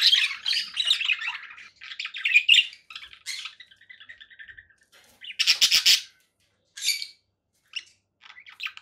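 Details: Conure parakeet chattering: a run of raspy squawks, then softer rapid buzzy notes, a loud harsh burst, and scattered short chirps with silences between.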